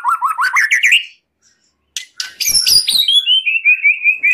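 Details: White-rumped shama song used as a training recording for caged birds: a quick run of rising chirps, a brief silence and a few clicks, then a long descending series of clear whistled notes.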